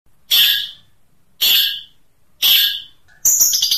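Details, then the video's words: Long-tailed shrike in a training recording of the distinctive 'tembakan' (shot) song style: three loud, harsh, rasping bursts about a second apart, each fading quickly, then a rapid burst of sharp, high, chattering notes. "Masteran Cendet Tembakan Unik"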